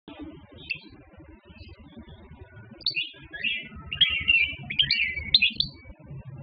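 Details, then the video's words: A wild-type (khalwi) European goldfinch, a caught bird possibly dating from 2015, gives a bright, tinkling twitter of quick liquid notes that grows fuller toward the end, over a low, steady background hum. "تسجيل لجدر حسون خلوي"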